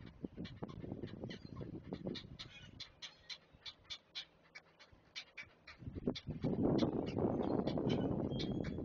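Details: Great blue heron chicks on a camera-watched nest while being fed by an adult: quick, clipped ticking calls repeated nearly three times a second, joined after six seconds by a loud rushing, rustling commotion.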